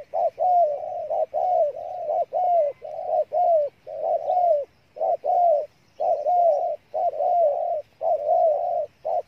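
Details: Cà Mau spotted dove in Vietnam delivering 'thổ'-style song: a steady run of rich, hollow coos about once a second, each with a slight downward bend.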